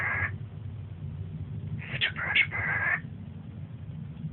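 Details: A pet cockatiel whistles at a Siamese cat, testing its limits: a short whistle, then a run of bright, warbling whistled notes lasting about a second, over low indoor hum.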